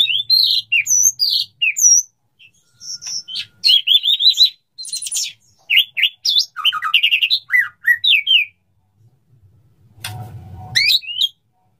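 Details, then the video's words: White-rumped shama male courting a female, long varied sequence of bright whistles, trills and harsh chattering phrases with short pauses, ending with a low noisy burst and a final high note. "suara burung murai batu jantan merayu betina, suara burung murai batu mau kawin"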